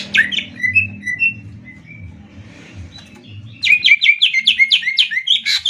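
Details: Greater green leafbirds, birds from Banyuwangi and Kalimantan, in a rapid-fire 'tembak' singing contest. Slurred whistled phrases fall and glide, then a pause, then a fast burst of sharp repeated chips. A low hum runs underneath.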